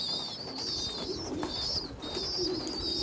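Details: Bigger young pigeons being fed by a small weak youngster: rapid, shrill, wavering squeals in quick bursts above a faint low coo.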